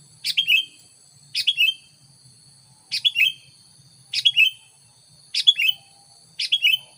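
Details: Sooty-headed bulbul lure song to draw in wild bulbuls: six evenly spaced chirpy phrases, each two or three bright descending notes, about once a second, over faint steady high tones.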